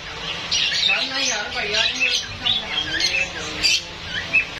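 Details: Talking Indian ringneck parakeet producing bright, high-pitched chirps and squeaky word-like syllables in uneven bursts, with a few sharp squawks near the end.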